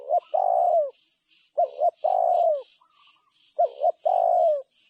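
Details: Low, husky spotted dove coos in repeated pairs, a short wavering note then a long purring note falling away, about every two seconds, over soft high chirps in the background.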